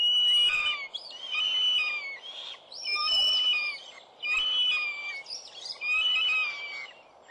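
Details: Juvenile northern goshawk at a New Forest nest, 11 June 2012, late in the season after four young fledged, gives thin, drawn-out, high whistled squeals in bursts about every second and a half over a soft hiss.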